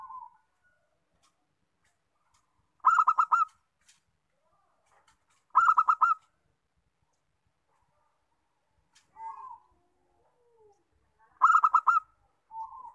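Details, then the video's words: Local zebra dove (perkutut), played to lure other birds into singing: three bursts of rapid, pulsed, throaty cooing notes, each under a second, with softer single coos between them in a quiet background. "PERKUTUT LOKAL, BUAT MEMANCUNG BUNYI"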